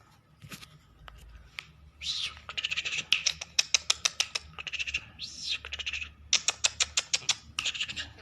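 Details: Hand-tame trained lark singing uncaged, with long bursts of rapid, crackling clicks mixed with buzzy whistled phrases. The phrases come in repeated runs with short pauses between them.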